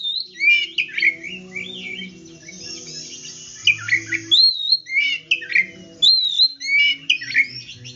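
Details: Oriental magpie-robin in full, lively song, used to prompt silent or stalled birds to sing and revive their fighting spirit. The song is a varied run of loud whistled phrases with rising and falling slurs and sharp chips, with faint low hum beneath.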